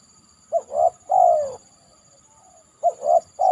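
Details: Spotted dove perched on a banana trunk following heavy rain, two mellow coo phrases: a quick note, a rising paired coo and a long sinking coo, the second phrase cut off, over a faint steady high tone.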